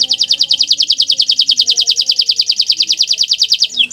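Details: Bottle-green canary's melodious song: one long, even, high pulsed trill of rapid notes, about eight per second, ending in a brief falling sweep.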